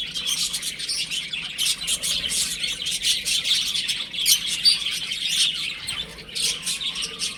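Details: Baby chicks at home chatter in a constant stream of high, clipped cheeps, many birds calling at once in an unbroken chorus.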